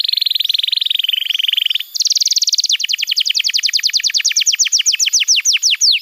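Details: Canary tutoring song played to young canaries and to silent birds to prompt singing: a fast buzzy trill held steady, then dropping lower, jumping to a higher rapid trill, then repeated sharp down-slurred whistled notes quickening toward the end.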